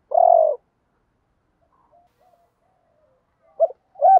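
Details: Spotted dove cooing, male and female voices used to spur wild-caught doves into calling: a long steady coo, a long pause with faint soft notes, then two short clipped coos at the close.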